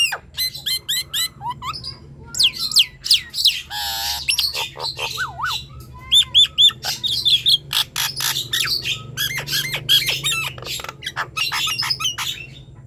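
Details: Long, lively bout of Nias hill myna singing, played to prompt silent birds to sing: dense sequence of sharp whistles, downward-sliding notes, harsh squawks and clicks, rattling bursts, almost continuous with brief pauses, over a faint low background hum.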